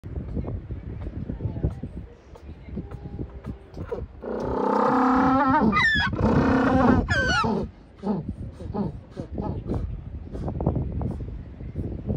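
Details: An African penguin pair filmed in the Cape, South Africa, gives a joint display call marking them as a pair: loud, donkey-like braying for about three seconds, harsh honks alternating with wheezy in-breaths, over low background noise.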